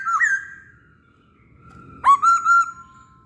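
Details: Actively singing masked laughingthrush used as a bird lure: a looping whistle fading into a long, steady tone, then a loud upswept note and two or three clear, level whistled phrases.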